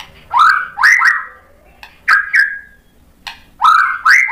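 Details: Lively white-rumped shama song meant to provoke rival shamas into singing: three loud bursts of sharp upswept whistles that slide into ringing, slightly descending notes, with short pauses between phrases.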